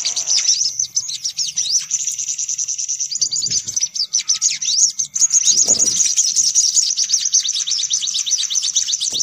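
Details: High-pitched sunbird chatter played as a lure: unbroken busy twittering with quick trills and sharp chips, interrupted by two brief low rustling noises.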